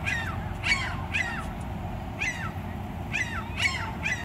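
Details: Two seagulls bickering at each other with clusters of harsh, slurred, descending calls, often two or three in a row, then brief pauses, over a deep continuous rumble.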